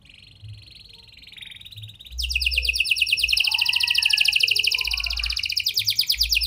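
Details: Canary singing a lure song in the prenjak and lovebird style, used to prompt silent canaries to sing: a faint high twitter for two seconds, then a loud, fast, buzzy trill that rolls on steadily to the end.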